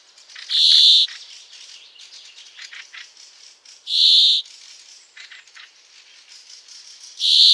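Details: Brambling song: a harsh, buzzy, drawn-out wheeze repeated about every three and a half seconds, with faint chirps of other birds in between.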